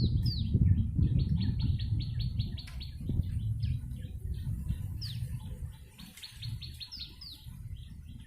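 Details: Lure recording of a yellow-bellied prinia singing vigorously: fast rattling trains of short chirps broken by swooping down-slurred notes, pausing briefly between bursts, with low rumbling noise throughout.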